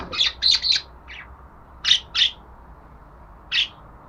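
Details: Budgerigar delivering a rapid cluster of high chirps, then a pair, and a single chirp after a pause, over faint background hiss.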